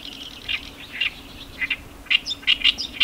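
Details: Oriental reed warblers at Iwakuni, Hiroshima, Japan, on 18 May: harsh chattering notes in short bursts, growing louder and more rapid, with a steady low hum underneath.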